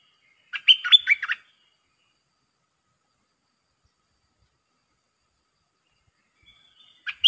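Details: Red-breasted parakeet used as a decoy against a wild resident bird: one clear phrase of bending whistled notes, then a long silence and the start of another phrase at the end.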